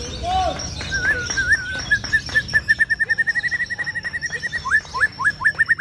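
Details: White-rumped shama singing ciung wanara: a few slurred whistles lead into a steady, rapid series of repeated clear notes, ending in quick upward-swept whistles, with a constant high hiss behind.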